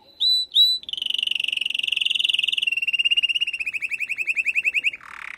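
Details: Female canary calling to stimulate a male after moulting: two clear whistled notes, then a long rolling trill that gradually slows and lowers, closing with a short noisy burst.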